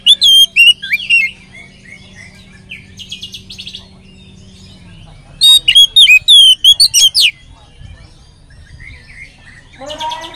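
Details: Lure song of an Oriental magpie-robin meant to make other magpie-robins sing: a burst of bright whistles and chirps, then a quiet pause with a steady low hum, then a second dense flurry of sharp varied notes and a rasping end.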